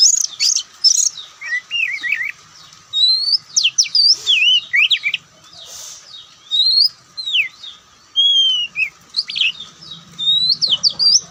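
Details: Varied, loud song of a white-breasted Oriental magpie-robin: fluty slurred whistles and rapid twittering phrases in bursts, separated by short quiet gaps, a faint low hum behind.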